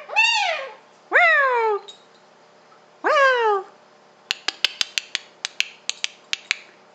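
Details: Indoor pet male Pink and Grey Galah, one and a half years old; three grating downward-sweeping screeches, then a run of sharp rapid clicks or taps.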